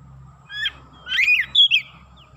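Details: Oriental magpie-robin, described as excited, giving a short phrase of slurred whistles, one rising then falling, followed by a brief high note, over a faint low hum.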